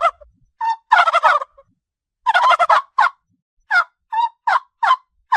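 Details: Domestic turkey on a farm giving two rattling gobble bursts among short, sharp yelping calls that come singly or in pairs, with clean silent gaps between them.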